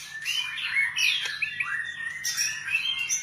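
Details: A white-rumped shama sings rapid, looping whistled phrases with rising slurs and squeaky twitters, steady and continuous, over a soft background hum.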